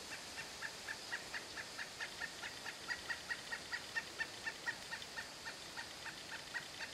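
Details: Pileated woodpecker calling: a long, steady series of loud, ringing notes, evenly repeated about four times per second over nearly seven seconds, swelling slightly in the middle, over a constant broad hiss.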